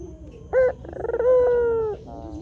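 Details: Lure recording of a white Barbary dove meant to draw wild doves to answer. A short sharp note leads into a fluttering roll and then one sustained, slightly falling coo, ending in a brief rough tail.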